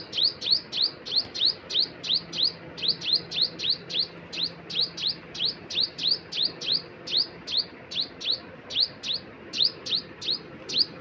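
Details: High, sharp, falling chips from a bird keep coming in quick bursts of two or three, about three notes a second, with a faint hum underneath.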